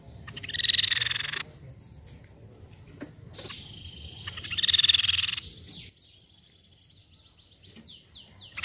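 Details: Crescent-chested babbler lure call: two fast pulsed trills around four seconds apart, followed by a run of thin, falling whistles from other birds.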